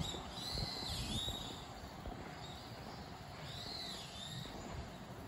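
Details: Common kingfisher on the Zenpukuji River, filmed with a smartphone and clip-on telephoto lens: two thin, high whistled calls with an arched, slightly falling pitch, about three seconds apart, over a steady low rumble of background noise.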